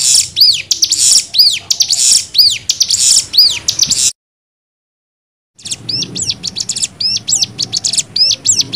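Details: Cigun singing in nembak style, kept as a tutor song for young birds: high arched whistles, each joined to a hissing burst, repeated about once a second, then a silent break before quicker, clipped notes resume.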